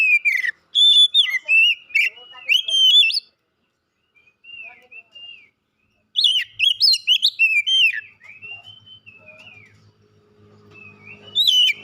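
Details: Champion Oriental magpie-robin, first in a singing competition, giving two loud bursts of rapid varied whistled notes separated by quieter soft warbling, with a faint low rumble near the end.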